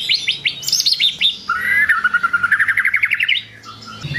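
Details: White-rumped shama song aimed at rousing rival birds: a high chattering burst, then a fast rolling trill of about fifteen repeated notes that slowly rises, ending in a short clear whistle.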